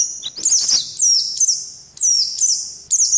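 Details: Indian white-eye lure call from a combined selection that also includes mantenan and pelatuk beras sounds: bright, very high chirps and sweeping trills in loud bursts roughly every half second to second, with a faint lower chatter early on.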